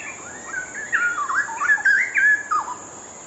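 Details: Straw-headed bulbul singing actively: a rich, mellow warbling phrase of fluid rising and falling whistles with quick liquid turns, delivered as one continuous run over a steady high electronic hiss.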